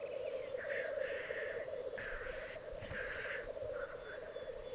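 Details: Male black grouse lekking in the Piedmont Alps of Italy, 2022; a dense bubbling chorus dominates, with three or four fainter hissing blasts spaced about a second apart.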